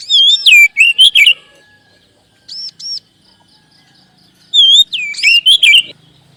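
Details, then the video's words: Oriental magpie-robin (kacer) singing a lure song meant to boost other kacer's singing: two loud bursts of clear whistles with downward-sliding notes and arched high pairs, a short double note between them, and a quiet background. "SUARA PANCINGAN BURUNG KACER AGAR CEPAT BUNYI DAN GACOR"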